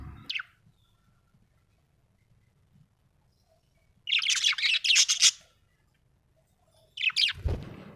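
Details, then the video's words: Happy budgie giving a brief chirp, then a second-long burst of scratchy chattering notes after a quiet gap, and another short chirp over a low thump at the end. "Happy budgie chirping sound"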